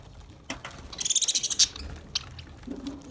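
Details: Lovebirds eating green food; after a click, a quick series of about eight rhythmic, nasal, harmonic notes rises in loudness, followed by faint clicks.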